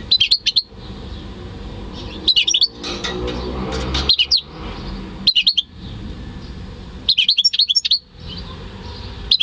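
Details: Goldfinch × canary hybrid, bred by its owner, heard in May 2015 delivering short bursts of sharp, high chattering notes, each burst about half a second long and separated by pauses, over steady low hum.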